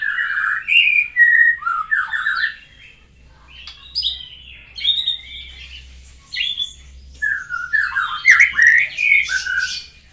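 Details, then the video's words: White-rumped shama that has just finished moulting and is learning new sounds: a rich, varied run of whistled and slurred phrases, some rising and some falling, with short pauses and a brief quieter gap midway. "belajar bunyi baru selesai dari mabung burung Moray batu"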